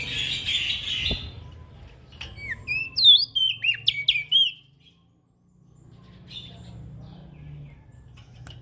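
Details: Ashy prinia giving a lively call run, used as a lure for small birds: a dense burst of rapid, hooked, high notes after a hissy start, then a long quieter stretch with low rumble.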